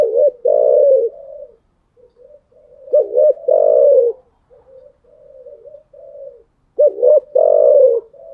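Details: Morning cooing of a spotted dove: three deep phrases of clipped double notes ending in a drawn-out purring coo, separated by quiet, wavering lower coos.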